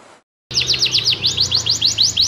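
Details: Tame canary singing actively while held in the hand gives a quick run of bright, high sweeping notes, about five per second, after a brief pause at the start.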